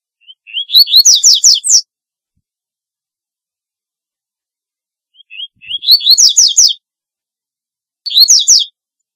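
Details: Song of the double-collared seedeater (corbatita), played to call: repeated phrases of rising whistles turning into fast, ringing downward-sweeping notes, with long silent gaps between phrases and a final phrase cut short.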